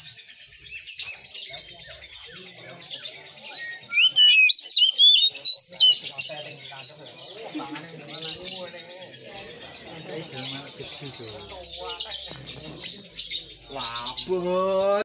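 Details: Oriental magpie-robin singing vigorously, with a loud cluster of high, swooping whistles early on, then a dense scratchy chatter, and low voice-like sounds near the end.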